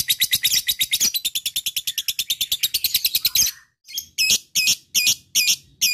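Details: Lovebird lure call of the long ngekek kind, used to make other lovebirds answer: a fast, even run of shrill chattering notes about eight per second, then louder separated squeaky bursts after a short pause.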